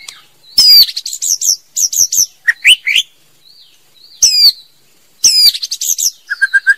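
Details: Female white-rumped shama in full song: intense, high, jumbled phrases of sweeping whistles and rapid chips, with brief quiet gaps. Soft falling notes sound in the pauses, and a short even trill comes at the end.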